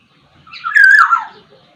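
A Black-naped oriole gives one rich, fluty whistled phrase that slurs up and then down, lasting about a second, with no other sounds.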